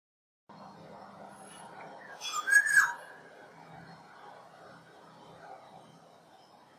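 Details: Black-naped oriole, Oriolus chinensis, whose usual call is a nasal niee or myaa: one short harsh, nasal note at mid-clip against faint background hiss.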